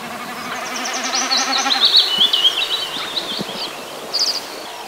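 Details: Male common snipe drumming during a diving display flight in breeding season over the Biebrza–Narew marshes, north-east Poland: a rapid, throbbing, goat-like bleat wavering about two seconds then fading; high thin chirps of other birds follow.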